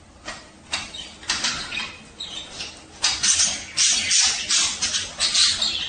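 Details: Chattering warble of male budgerigars, sung at mating time to stimulate breeding: rapid, almost continuous high squeaks and twittering notes that grow denser and louder halfway through.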